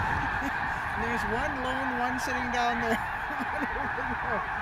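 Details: Sandhill cranes lifting off together at Bosque del Apache refuge in November during the Festival of the Cranes; a clear long rolling bugle stands out over a constant din of the calling flock.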